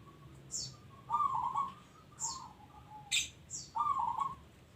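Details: Local zebra dove singing in three tremulous, bubbling coo phrases about a second apart, interspersed with brief high-pitched chirps over a steady background hiss.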